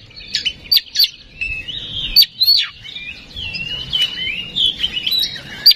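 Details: Lure song of an oriental magpie-robin meant to rouse singing: sliding whistles and warbles interspersed with sharp high clicks, loose and varied.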